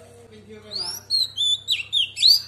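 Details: Female Oriental magpie-robin in wild-voiced song intended to rouse males: a soft, low wavering tone at first, then loud, clear high whistles and rising slurred notes in quick phrases, with a low hum beneath.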